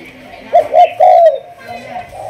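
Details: Spotted dove of a Malaysian 'thúc gù' strain in decoy training: two short, emphatic hoots and a longer wavering coo in quick succession, then a softer trailing note.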